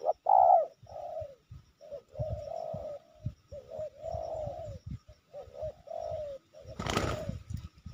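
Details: Wild spotted dove cooing during a trapping session with decoy birds in the Sibolangit area, Indonesia; low mellow coos repeated in phrases with rustling and handling noise, a loud broadband burst near the end.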